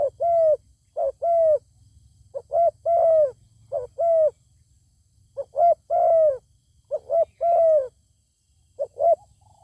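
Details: A zebra dove meets a wild bird with a fine voice that will not descend to fight. It sings a steady series of cooing phrases, each with clipped lead-in notes before a sustained falling coo. A soft background hum is audible.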